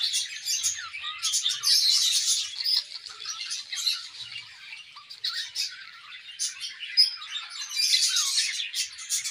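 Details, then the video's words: Budgerigar pair in an aviary on a morning, chattering in high, rasping squawks and twitters that swell and fade in uneven bursts, with a loud stretch early and another near the end. "A Beautiful Morning with Budgie Pair | Serenade in the Awesome Aviary"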